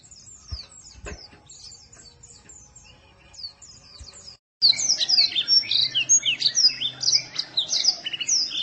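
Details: White-eye song from a masteran training recording used for cage birds: faint scattered high chirps at first, then after a short gap a dense, loud burst of rapid, high twittering notes with a low hum underneath.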